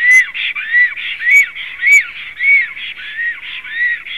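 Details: Black stork pair, male and female, calling at 19:35 on 18 April 2016: bright, bowed whistles in a regular series about every half second, some notes with thin high squeaks.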